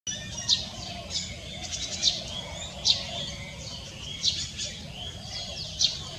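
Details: Olive-backed sunbird recorded on 31 March 2024, giving sharp, high chips at irregular intervals of about one to one and a half seconds, with fainter high twittering between them and low steady background noise.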